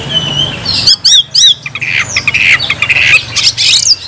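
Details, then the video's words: Oriental magpie-robin (kacer) in gacor nagen mode: a thin whistle, then three quick repeated chevron notes, followed by harsh scratchy squawks and rasping phrases, with a low hum underneath. "kacer gacor nagen sampe leklok"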